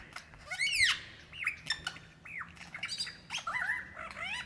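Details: Male lyrebird calling for a female in Dandenong Ranges National Park, Victoria, Australia, February 2016: a rapid medley of sweeping whistles, sharp downward slurs and bright rising notes packed into a few seconds.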